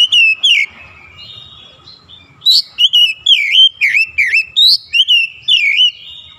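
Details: Oriental magpie-robin singing in morning sunlight: a steady string of about a dozen loud, dipping and looping whistled notes, delivered in brisk succession after two opening calls.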